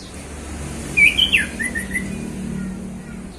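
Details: Male orange-headed thrush singing relaxed in the afternoon, caged bird: one short burst of sharp whistled notes and falling slurs, then quiet background hum with faint traffic.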